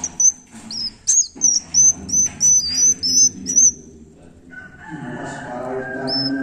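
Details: Swiftlet nestlings calling: a run of high, thin whistled notes, each with a short hissy burst, repeated about three times a second for four seconds, then a low murmur and rustling take over with one last whistle.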